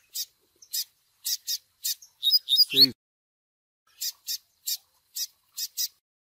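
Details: Recording used to train young Double-collared seedeaters: chick begging cheeps, short high and repeated about four per second, broken by a brief burst of slurred Tui Tui song with a low thud, then the cheeping resumes.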